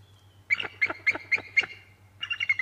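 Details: Bald eagle at the Decorah North nest during a chase involving a sub-adult eagle, on 8 December 2017 around 2:21 pm: a series of five sharp, high chirping notes about a quarter second apart, a pause, then a quicker trailing chatter.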